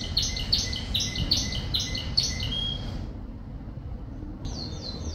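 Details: Canary singing in the rain: a series of bright, looping high syllables repeated briskly for three seconds, a short pause, then a new quicker phrase of high chirps begins.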